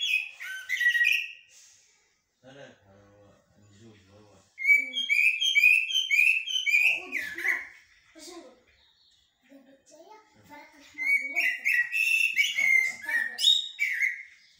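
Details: Song of a common blackbird (shahrour) in haddadia and military styles, bursts of clear whistled and chattering notes separated by pauses, with voices murmuring low in the gaps between phrases.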